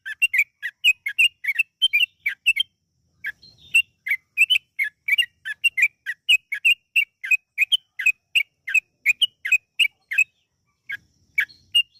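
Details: Long lure sequence of yellow-vented bulbul song for getting birds to sing: dense, fast chirps in runs of several notes, a short pause near three seconds and another near eleven.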